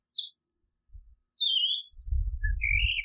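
California scrub jay giving a soft run of short high chirps, a falling slurred note, then a rising whistle, over a low rumble of wind.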